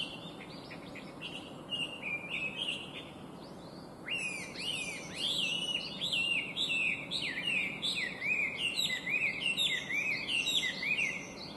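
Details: Chinese hwamei, an invasive introduced species, singing a bright, beautiful, complex song: loud rapid whistled phrases of rising and falling slurred notes, repeated about twice a second, quieter for the first four seconds then fuller and continuous.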